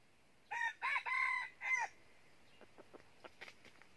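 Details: Red junglefowl used as a decoy to lure wild junglefowl into a trap in northern Vietnam. One crow of four parts, short-long-long-short, is followed by soft scattered clucks and clicks.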